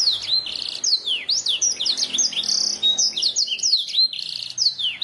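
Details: Canary master song meant to get birds singing quickly: dense high warbling of sliding whistles and short chirps, with a brief rolling trill near the middle, steady and unbroken.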